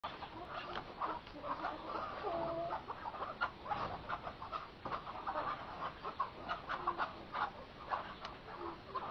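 Chukar partridges in a pen keep up a dense, overlapping chatter of clucks and harsh chuckling notes, broken by a few short whistled squeaks.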